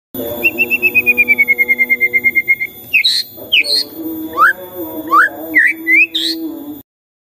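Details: White-rumped shama song used in the morning to provoke silent shamas into singing: a long quavering whistled trill gliding slightly downward, then a run of quick slurred whistles rising and falling at varied pitches.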